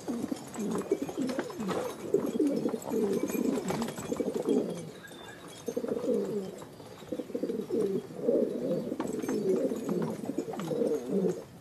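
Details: Filo pigeons, a Turkish pigeon breed, cooing: low rolling coos in repeated bursts of several seconds, with short pauses between phrases, inside a room.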